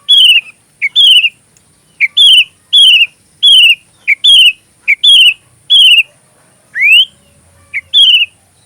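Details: Sooty-headed bulbul song for magpie robin training: bright whistled notes with a rising slur, repeated in short bursts about once a second, with one longer upward sweep near the end.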